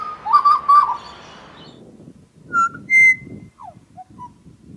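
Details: Butcherbird, grey (Cracticus torquatus) or pied (C. nigrogularis), Australian, gives rich, fluty whistles: a quick burst of three notes, then clear higher notes and short falling slurs, over a faint low rumble.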